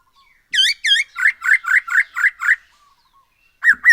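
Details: Black-throated laughingthrush (poksay Hongkong), singing actively, used as a lure to make other birds sing more: loud ringing whistled notes, two sharp opening notes then a fast run of about six, a pause and two more.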